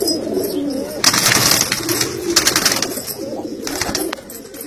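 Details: Kalsara pigeons, a domestic breed, giving low rolling coos indoors, partly masked by bursts of loud, broad rustling or flapping noise that come and go.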